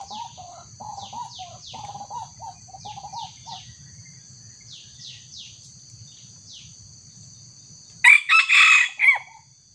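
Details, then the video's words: Trapping of a young wild junglefowl with a small decoy rooster: eight seconds of quiet, steady whistled and buzzy background calls from other birds, then a loud, rasping multi-part crow of four rough bursts near the end. "mikat ayam hutan_pikat bocil-terkena senggolan ayam hutan muda"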